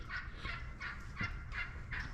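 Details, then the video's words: At sunrise on a cold morning at a fish camp on Florida's St Johns River, a hen wild turkey gives a steady run of short, raspy notes, about three a second, over a low outdoor rumble; a puffed-up tom is nearby. "you hear that hen turkey there's a big old Tom puffed up out there too"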